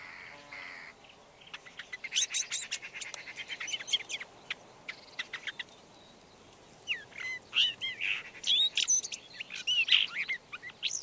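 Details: Red-backed shrike: a quiet opening, then bursts of scratchy clicks and chirps, followed by a louder passage of squeaky twisting whistled notes.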